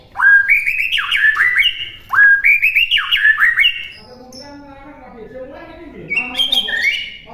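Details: White-rumped shama training recording for other songbirds to copy: two bright whistled phrases, each rising then tumbling in quick slurred notes. A softer, lower warbling passage follows, and a high whistled flourish closes.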